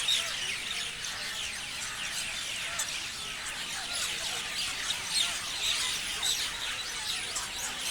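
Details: Parrots chirping in a large group: bright, rapid chirps and thin whistled squeaks overlap without pause, with occasional louder, clearer notes rising above the busy chatter.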